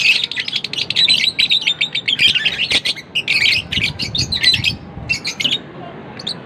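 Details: Rapid shrill chirping from lovebirds, quick stuttering series of sharp squeaks in dense runs that thin out toward the end into a few separate calls.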